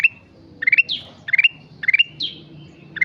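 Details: Black-capped bulbul singing actively: short bursts of three or four quick rising notes that climb to a held whistle, each burst followed by a bright downslurred whistle, phrases repeating about every 1.2 seconds over a soft low rumble.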